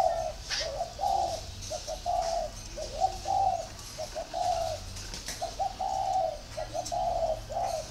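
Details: Kept spotted dove in Ba Vì, Hanoi, Vietnam, calling steadily with phrases of soft low coos, a few clipped notes then longer drawn notes, repeated about once a second, with faint background chirping.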